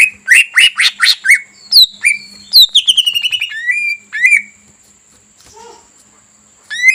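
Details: Greater green leafbird song played as a lure to make a rival male agitated so it sings at once: a fast burst of loud, harsh notes, then sweeping whistles and a falling trill, followed by a quiet pause and one final rising note.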